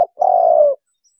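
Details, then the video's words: Spotted dove, a recording played from an MP3 sound box as a lure for trapping wild doves: one steady, hollow coo held for about half a second, with no other sounds around it. "MP3nya Para Pemikat Burung Tekukur"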